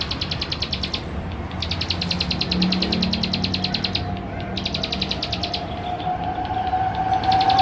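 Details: Male Plain Prinia (ciblek sawah) singing energetically in West Java, recorded on a Canon camera to stir up other birds; three extended trills of rapid, bright, clicking notes, the middle run longest, backed by a low drone and a faint rising hum.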